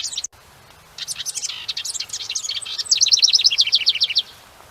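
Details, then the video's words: House wren song, a loud, insistent series of variable notes from a very small bird: an opening chip, then a tumbling run of high buzzy notes, ending in a fast, regular train of bright repeated notes before falling silent. "It's a really loud and insistent call coming from a very small bird."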